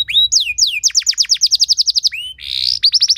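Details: Canary performing an elaborate training song to trigger other canaries to sing: rising slurs, a long rapid trill of descending notes, a short rasping buzz, then quick trilled notes again.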